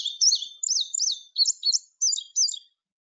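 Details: Indigo bunting song, a series of high sweet notes with each note given twice: paired chirping phrases repeated in quick succession, clean with no other sounds.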